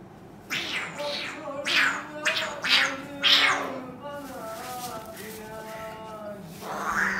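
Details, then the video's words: Cockatoo at home battling a person on a sofa; four loud, grating screeches in close succession, then a person talking and one rising squawk at the end. "Cockatoo battle on sofa"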